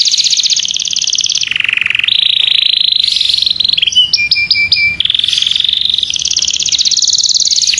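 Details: Pet canary, kept as a songbird, singing a training song for other birds. Long high buzzy trills shift up and down in pitch, broken by a short run of clipped whistled notes before the rolling trill returns.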